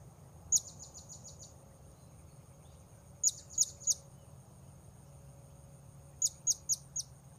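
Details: Rapid bursts of tiny, very high, sharp chips from a blue-crowned hanging parrot during luring of wild birds: a run of five, then three, then four, separated by pauses of a few seconds.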